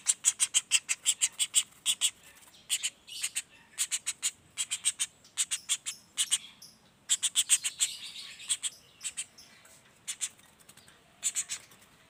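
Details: Young common flameback giving bursts of raspy, high notes. Quick runs of four to eight calls are separated by short pauses, giving an uneven, stuttering rhythm.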